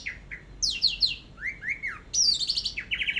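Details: Orange-headed thrush singing in teler style, for a long masteran: varied bright phrases, high sliding whistles, a rising-then-falling swoop near the middle, and rapid buzzy trills at the end, over a low background hum.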